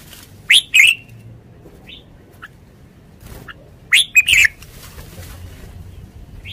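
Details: Red-whiskered bulbul kept in a cage gives two loud, sharp phrases of rising whistles and chirps, separated by several seconds of near quiet with a few faint single notes.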